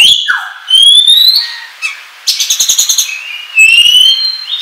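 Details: Oriental magpie-robin lure song for trapping: long, pure whistles rising steadily in pitch, a falling note, then a rapid stutter of about ten clipped pulses before another rising whistle phrase.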